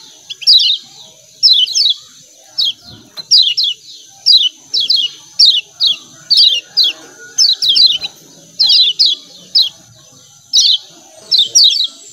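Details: Repeated 'ciak ciak' chirping of a lemon-bellied white-eye: sharp, high, downward-sweeping notes delivered in doubled bursts roughly every second, over a thin constant high-pitched hum.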